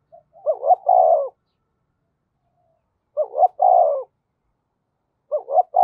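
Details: Decoy spotted dove cooing in giọng thổ style: three widely spaced phrases, each of two short hoots leading into a drawn-out, gently falling coo, with silence in between.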